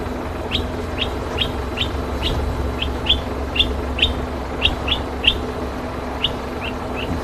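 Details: A boubou alarm-calls at dusk on a game drive searching for a leopard in Rietspruit Game Reserve, Lowveld, South Africa: a rapid series of short, sharp clicking chips, about three per second, over a steady low vehicle rumble.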